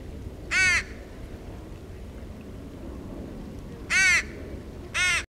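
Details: Young female crow begging insistently on a beach outing, wanting to be fed instead of feeding herself; three loud, hoarse, rasping calls, the first alone, then two close together near the end, with low ambient rumble.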